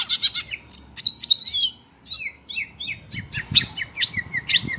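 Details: Kacer, the Oriental magpie-robin, caged and agitated by other birds' sounds, produces quick rattling chips, then sharp whistled and buzzy notes, ending with a steady series of loud squeaky chirps.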